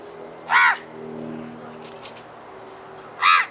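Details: House crow calling in a setting of city or village, two harsh nasal caws about two and a half seconds apart over a faint low hum.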